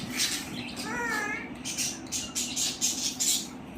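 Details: Pet parrot talking, a voiced, wavering mimicked syllable with stacked harmonics near one second, surrounded by short hissy clicks and scratchy bursts, with a steady low hum underneath.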